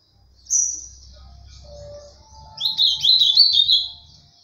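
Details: Ultramarine grosbeak, mineiro pena branca song style. A single high whistled note opens, then after a pause comes a quick, warbling burst of slurred notes over a faint low rumble.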